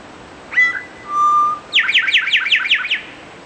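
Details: An eastern towhee gives its song: a brief bright whistle, a sustained lower whistled tone, then a rapid trill of roughly seven downslurred notes. No other sounds compete.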